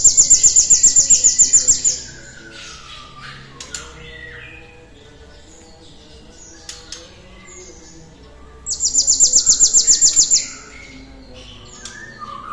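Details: Cinereous tit, played to stimulate other birds to sing: two short, shrill, rapid trills of high repeated notes separated by a quiet stretch. Scattered soft chirps and whistles from other birds fill the gap.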